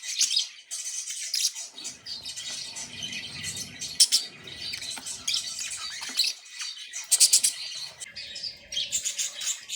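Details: Budgies happy at play keep up busy high-pitched warbling, with scratchy chirps, squeaks and clicks in uneven bursts and a short faint whistled tone near the end.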